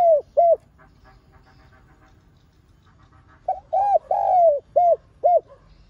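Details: Spotted dove, a decoy bird, calling and urging: the last two arched coos of one phrase, a quiet gap, then a whole phrase of clipped note, rounded coo, long falling coo and two further coos.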